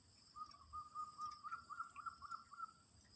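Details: Distant zebra dove, sung as teaching for a new bird, giving a long even run of soft, rhythmic coo notes, rising slightly in pitch midway, beneath steady high electrical whine and low background rumble.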